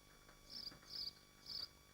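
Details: Nesting swifts in Machynlleth in the Dyfi Biosphere, caught by a nest livestream: three short, shrill, high screeching bursts about half a second apart over a faint steady hum.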